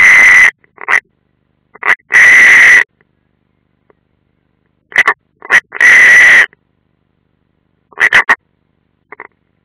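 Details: European roller calling at the nest on a military training ground in Ādaži, Latvia, 30 June 2016: harsh, rasping croaks centred mid-pitch, some long and loud, others short doubled bursts, in irregular groups.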